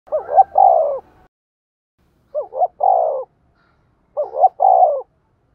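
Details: Spotted dove lure bird used to call in wild doves for lime-stick trapping, giving three loud coo phrases, each a quick double note then a longer falling coo, spaced about two seconds apart in silence.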